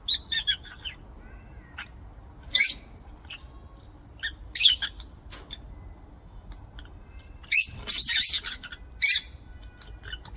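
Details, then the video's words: Aviary lovebird chattering in a series of sharp, shrill chirps and squeaks, scattered at first, then a dense harsh cluster of rapid chirps toward the end, with brief quiet gaps between bursts. "LOVEBIRD SOUNDS"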